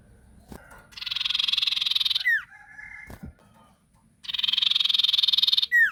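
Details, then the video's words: Sirtu lure song meant to draw replies from other sirtu: harsh, fast buzzing trill closed by a falling whistled note, a softer steady tone between bursts, plus a couple of sharp clicks. "Burung sirtu gacor pancingan"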